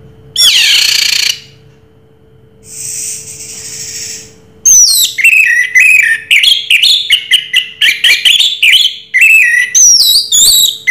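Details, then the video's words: Orange-headed thrush (Anis Merah) in Raja Teler song: a harsh rising burst, a softer hiss, then a long varied stream of sweeping whistles, chips and rapid twittering phrases, over faint hum. "Suara Burung Raja Teler Anis Merah"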